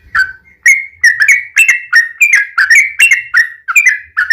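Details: Whistled, slurred yellow-vented bulbul notes repeat about every 0.4 seconds in a lively series, from a lure recording meant to make other bulbuls sing.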